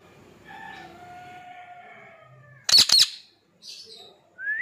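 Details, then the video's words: Pet rose-ringed (ring-neck) parakeet talking, repeating "mitu" words: a soft whistled, speech-like phrase, then a few loud harsh screeches and a sharp rising whistle. "My Cute Funny Parrot Talking /Cute Ring Neck Parrot Natural sound"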